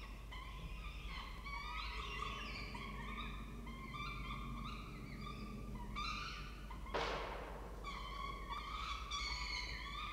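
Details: Peregrine falcon nest in Orange, Australia, during a food delivery by the male; repeated harsh, harmonic wailing calls in bursts, a sudden broadband rustle or knock midway, then more calls, with a low hum throughout.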